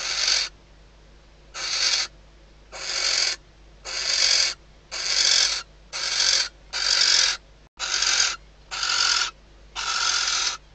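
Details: Night calling by a female barn owl in her nest box at Riet Vell Nature Reserve, Ebro Delta, Spain, as the male lands on the outside perch days before the first egg hatches. Ten steady, harsh hisses, roughly one per second.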